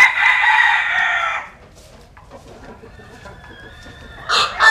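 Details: Rooster sunbathing in western Vietnam gives a loud, grating sustained crow lasting about a second and a half. A quiet stretch follows with faint far crowing, then a short burst of another loud call at the end.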